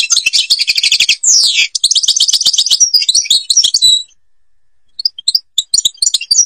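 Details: Song of a European goldfinch in Algeria: quick rattling trills and a sweeping downward slurred note, then more rapid twitter, a pause of about a second, and scattered single high chirps.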